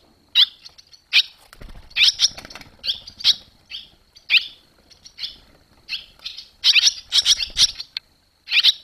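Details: Barn swallows around a nest on 21 July 2023, as the young finally fledged, give short, sharp, high chirps in quick irregular bursts, several calling over one another, with soft low fluttering or rustling underneath.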